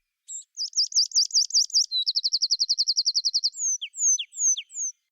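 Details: Tree pipit (Anthus trivialis) song recorded in upland oak woodland: a fast, lively, fairly high, fizzy five-second verse of three linked phrases, repeated notes, a long fast trill, then bouncy drawn-out descending notes.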